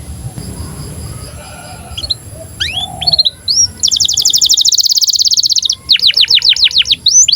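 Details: Canary in breeding condition, its song played to train young canaries to sing and roll: scattered rising chirps, then a long dense buzzy trill of about two seconds, followed by a run of fast falling whistled sweeps.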